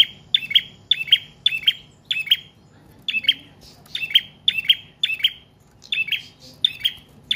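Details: Long continuous prinia song, prenjak trotol or paot, for luring and tutoring other cage birds: crisp, high double chirps repeated steadily, roughly twice a second, with one brief gap midway.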